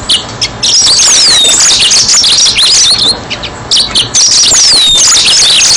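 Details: Lure recording for catching yellow-fronted canaries: a busy high warble of rapid twitters, repeated downward-sweeping whistles and buzzy trills in two long phrases separated by a short gap, with faint background hiss.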